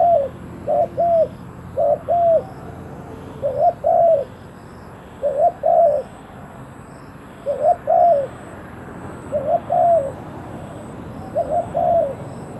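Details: Spotted dove kept as a decoy to attract wild doves. It repeats short two-note cooing phrases about every two seconds, each a quick note and a drawn-out falling one, with pauses between them.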